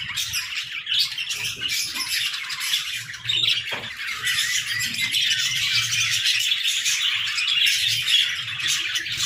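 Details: Budgerigars chattering in an aviary, a continuous high warbling and squawking chorus from many birds with no break.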